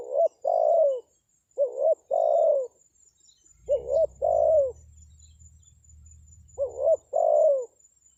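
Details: Lure call of a spotted dove (tekukur) to attract wild birds: four paired phrases of a short bent note and a longer falling coo, with a brief low hum midway.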